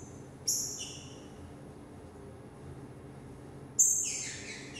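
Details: A young Green-winged Saltator gives two loud, high, ringing phrases about three seconds apart, each dropping away at the end, over a quiet low hum.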